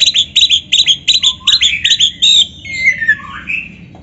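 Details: Training song of an Oriental magpie-robin for stimulating captive birds: a fast run of about a dozen sharp, evenly repeated double notes, then a slurred whistled phrase dropping and rising in pitch.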